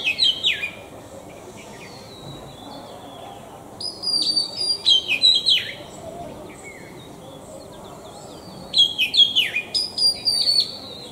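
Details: Oriental magpie-robin song in three loud phrases of varied whistles, falling slurs and bright ringing high notes, separated by quieter spells with faint distant chirps.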